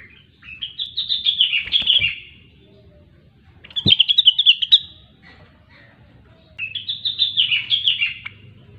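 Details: Grey-cheeked bulbul, known locally as rengganis or cucak wilis, singing in full gacor form: three bright warbled phrases of rapid, rising and falling notes, each about one and a half seconds long, with short gaps between them.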